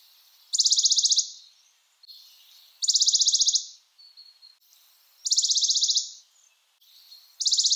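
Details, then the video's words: Western Bonelli's warbler giving a dry, even, high trill on one pitch, under a second long, repeated about every two and a half seconds, with faint thin notes between. "Western Bonelli's Warbler Bird Sound"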